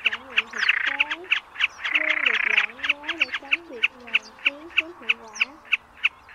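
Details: Common snipe in a lure recording for night net trapping during the migration season: steady sharp clipped notes about three per second, interrupted by buzzy rasping stretches, with wavering low tones underneath.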